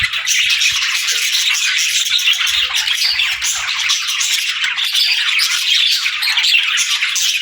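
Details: Pet parakeets and lovebirds greet the day with a continuous jumble of high chirps, squeaks and squawks, many birds calling at once, with faint low taps underneath.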